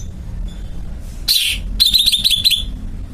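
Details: Greater green leafbird (cucak ijo) giving a brief buzzy burst followed by a fast, rattling run of high repeated notes lasting under a second, over steady low background hum.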